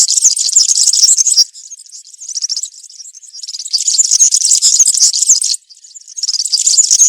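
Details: European serin singing country-style (campero) song in woodland, used to tutor young serins: very high, rapid jingling, buzzy twitter in long bursts, a quieter thinner passage, a brief pause, then loud jangling again.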